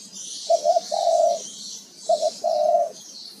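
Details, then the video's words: Male spotted dove calling: two short, soft coos followed by a longer, rolling low coo. The phrase is repeated twice with a brief pause between, over a faint high hiss. "Suara burung tekukur jantan"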